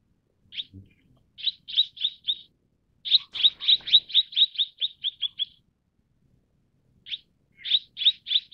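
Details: Mrs. Gould's sunbird, also called Tonghuafeng: bursts of short, sharp chirps, a long rapid series of about a dozen notes slowing at the end, then paired chirps, with a faint low thump partway through.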